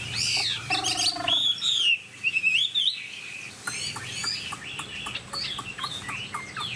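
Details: A tame, 99% pure Chinese hwamei delivers loud, rich whistled phrases mixed with buzzy, rattling notes and wavering trills, followed by softer repeated chips and short whistles.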